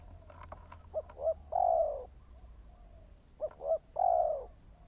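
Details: Spotted dove newly trained as a decoy: a few clicks and knocks at the start, then two phrases of two brief hoots and a long descending coo, a quiet steady high whine throughout.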